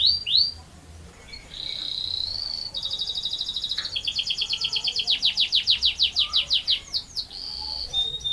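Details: Canary singing a long roll: brief upslurred notes, a held buzzy tone, then a lengthy accelerating trill of repeated sweeping notes lasting several seconds, finishing with a steady whistle.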